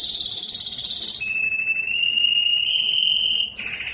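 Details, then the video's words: Yellow canary holding long, piercing whistled trills, first high then slightly lower and steady, before switching to a sharper buzzing phrase. "Observing the Enchanting Song of the Canary Yellow" canary yellow singing"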